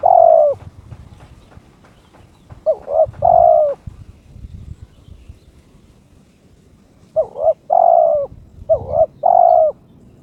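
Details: Spotted dove, a kept bird in breeding condition, challenging its opponent. A long coo, then two-note-plus-long-coo phrases, a quiet gap, then paired phrases in quick succession, clear over faint background noise.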